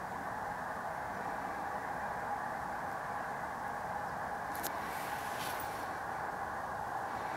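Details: Steady broadband hum with a faint tone and a few brief high crackles near the middle; no animal voice is heard.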